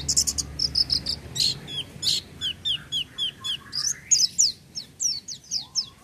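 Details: Oriental white-eye in full, lively song without supplements: rapid bursts of high sharp chirps and descending slurred whistles, delivered in quick rhythmic runs for six seconds, with faint low background hum.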